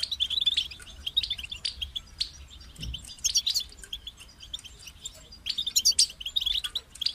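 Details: European goldfinch song in phrases with a clear start and stop: bright, high twittering notes and tinkling trills, with short pauses between bursts and a soft low thump midway.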